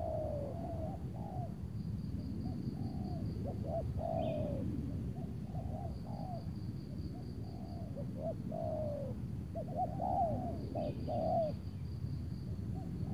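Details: Overcast late afternoon in Tangerang, spotted doves calling as a decoy lures a loud, large target bird. Series of low curving coos in uneven bursts over a continuous pulsed high insect drone, with brief faint chirps.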